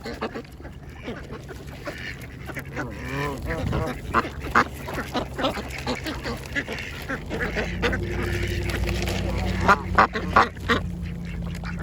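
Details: A mixed group of ducks feeding together at a pond at lunchtime, giving dense overlapping nasal quacks in quick irregular bursts, some harsher and honking, over a steady low rumble and scattered sharp clicks and splashes.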